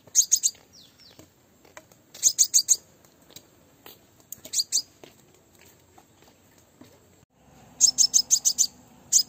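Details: High, rapid chip series from a female crimson sunbird used to attract males, coming in bursts of three to six notes with longer pauses, and a low steady hum in the final seconds.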